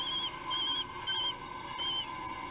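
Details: Three-week-old common kestrel chicks being fed at the nest in Théding on 8 June 2021, filmed by a nest webcam: short wavering whistled notes repeated about every half second over a steady background hum.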